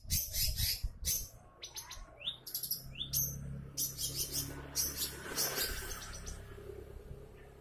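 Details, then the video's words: Long-tailed shrike lure song for triggering other shrikes: bursts of harsh chatter and quick upward-sweeping whistles that thin out and fade toward the end. "sudah banyak cendet yang ikut bunyi gacor SETELAH DENGAR SUARA CENDET INI | pancingan cendet"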